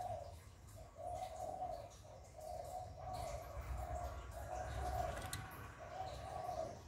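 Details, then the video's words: Spotted dove giving hạp bổi style coos, used to rouse captive doves into calling. Muffled, even coo phrases follow one another with short pauses over steady low-pitched background noise. A faint click sounds near the end. "Tiếng Chim Cu Gáy Giọng Hạp Bổi CHIÊU THÚC BỔI. kích bổi nhanh nổi"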